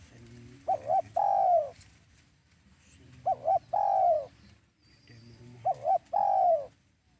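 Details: Spotted dove call as a lure for trapping doves: three evenly spaced phrases, each two quick notes then a long descending coo, repeated about every two and a half seconds over a low hum.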